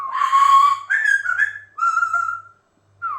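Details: Caged or house Amazon parrot, lively, giving a long buzzy whistled note, then shorter wavering whistles and a final falling note, clear and close in a quiet indoor space.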